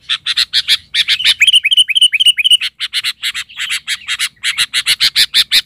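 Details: Agitated sooty-headed bulbul serving as a lure toward wild bulbuls, pouring out a dense, rapid chatter of bright chirps about four per second, broken by a short run of clear rising whistled notes.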